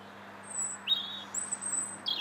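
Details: European robin singing in January, heard from a bridge in the Linear Park, Bath, on 21 January 2017; high thin whistled phrases, some sliding down, separated by short pauses, over a steady low hum.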